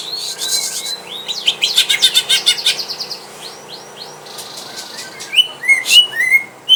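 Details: Greater green leafbird caged at home, tested against a rival: a busy stretch of rapid chirps and trills, a pause with soft notes, then bright falling whistles.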